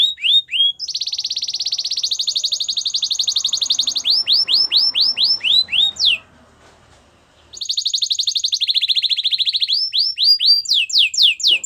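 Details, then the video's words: Belgian canary singing for training silent canaries: falling whistled notes, long high rolling trills, bursts of steeply descending sweeps repeated rapidly, a brief pause, then the pattern returns. "Your Canary Is Silent, Turn It Around So It Will Sing Along | Belgian Canary Singing"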